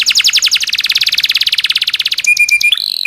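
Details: Local canary with long roll song, used to teach other songbirds: a fast even train of high, sharply falling notes, ending in a few short flat piping notes and a buzzy trill.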